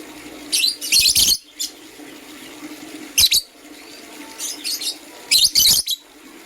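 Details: Morning chirping from green and blue lovebirds, with clusters of rapid, scratchy, high chirps in four bursts about one to two seconds apart over a low background hum.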